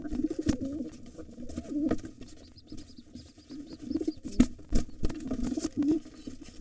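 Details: Repeated deep, wavering pigeon coos interrupted by loud thumps and scraping, recorded during a fight at a wild pigeon nest with two nestlings. The white father drives off a gray intruder trying to take the nest.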